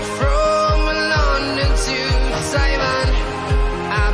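Pop-style music with sustained melodic tones, faint singing and a steady, pulsing beat; no animal sounds heard.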